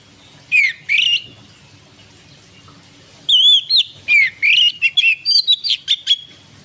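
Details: Oriental magpie-robin singing in the evening on 12 December 2022 as a lure to stimulate other birds: two short isolated notes, a pause, then a rapid burst of about nine loud whistled notes, some sweeping up and down, over faint low background hum.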